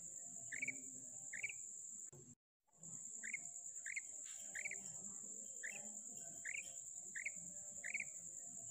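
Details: A female common quail, recorded 19 February 2024, gives short, hooked mid-pitched notes repeated roughly once a second over a steady high insect drone.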